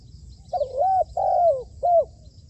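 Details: Decoy spotted dove in training for dove trapping: three soft low coos in a row, the first wavering and rising, the second drawn out and falling, the third short and dropping.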